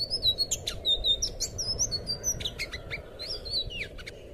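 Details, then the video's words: Thrush song played as a master recording for training young captive birds: quick run of high, thin whistles with short sliding and upswept notes and sharp chirps, varied and continuous over low steady background hum. "suara burung anis biru buat masteran burung bahan"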